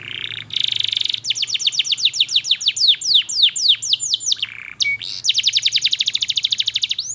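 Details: Canary song played as a lure for young canaries learning to sing: buzzy opening, long series of rapid downward-sweeping whistled notes, a short steady tone, then a fast, even rattling trill.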